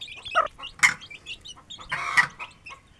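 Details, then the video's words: Aseel hen with chicks feeding in a village yard: two loud, rasping clucks stand out above scattered thin chick peeps and light pecking sounds. "Aseel Hen & Chicks Feeding & Playing 🐔 || Happy Village Life || Cute Chirping Sounds"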